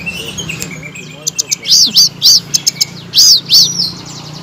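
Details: Blue-crowned laughingthrush singing, used as a master track to make silent cage birds respond loudly. After a soft lead-in, loud arched, high chirps come in rhythmic pairs and triplets, with thin ticking notes between them.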